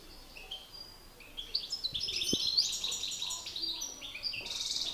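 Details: Singing duel of male European goldfinches, master versus excited rival: a rising, increasingly dense stream of tinkling twitters and buzzy notes, growing louder toward the end.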